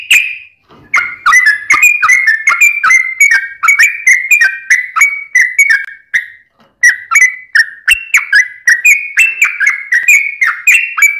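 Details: Rapid, nonstop Sooty-headed bulbul song with Straw-headed Bulbul variations, used as a tutor for caged birds and to lure wild bulbuls: a long chain of short clear whistled notes, briefly broken once midway.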